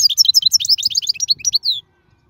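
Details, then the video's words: European goldfinch from the wild, song meant for teaching young birds: a rapid run of sharp, high tinkling notes and liquid twitters lasting under two seconds, closing on a short falling note, then silence. "من أقوى اغاني | طائر الحسون | البرية"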